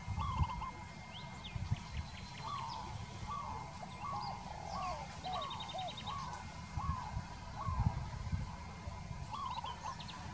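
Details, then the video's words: Peaceful dove cooing in a steady sequence of short arched notes, about one per second at times, with rapid high twittering from other birds and low background rumble. "Peaceful Dove - นกเขาชวา"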